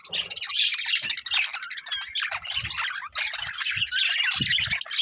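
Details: Breeding pair of budgerigars chirping and squawking continuously, a dense stream of high, scratchy warbled notes with short harsh squawks, plus faint low knocks in the background.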